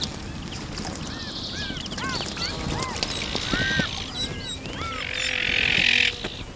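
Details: Several Iberian magpies bathing together in a fountain utter a rapid series of curved, rising-then-falling calls, busiest in the middle, with splashing water and a rising hiss of spray near the end.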